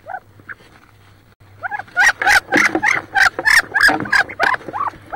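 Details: Wood duck hens squabbling inside a nest box near Richland, Washington, one sitting on about 18 eggs: a few soft squeals, then a loud rapid run of harsh, broadband squealing calls, about three per second, over a low hum.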